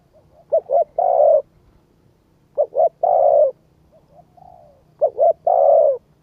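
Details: Spotted dove cooing used to rouse a decoy bird: three phrases of two quick notes and a long soft coo, about two seconds apart, with a fainter low coo between the last two.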